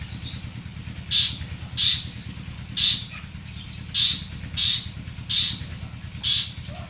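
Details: Two champion long-tailed shrikes, one local to Madura and one to Bojonegoro, placed side by side: harsh, squawking notes repeated roughly every second, over a steady low engine hum.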